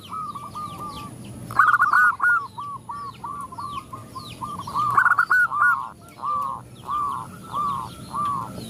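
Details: Female zebra dove calling to males, with others answering; rapid staccato bursts give way to steady, evenly paced rolling coo notes, accompanied by frequent high, thin chirps from other birds.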